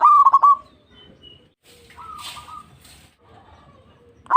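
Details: Zebra dove lure song: a rapid phrase of stuttering coos at the start, then a softer, flatter drawn-out note with a burst of hissing noise, and the start of another phrase at the end.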